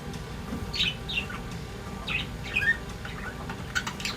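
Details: Pair of pet budgerigars warbling: scattered chirpy, slightly scratchy notes and short squawks spaced unevenly, with a steady low household hum beneath.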